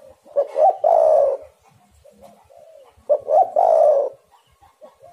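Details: Spotted dove (tekukur) luring call: two cooing phrases about three seconds apart, each short rising notes swelling into a long hollow coo, with quiet softer coos between.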